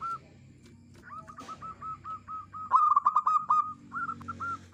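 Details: Clear-voiced local zebra dove cooing steadily, relied on for luring: a long run of evenly spaced short purring coos building into a quicker, louder trill, then a few more clipped notes, over a constant low hum.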